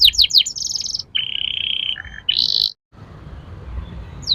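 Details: Singing Atlantic canary, a lure to make young birds roll and sing: quick descending whistles, a high buzzy roll, a lower steady roll, another high roll, then a pause and one faint slurred note.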